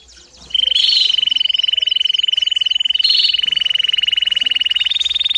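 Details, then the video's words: Canary singing to teach young birds: a sustained high, even trill that runs for about five seconds, dipping slightly near the end, with brief sweeping notes layered over its start. "CANÁRIO DO REINO CANTANDO E CHAMANDO ÓTIMO TREINO PARA FILHOTES!!!"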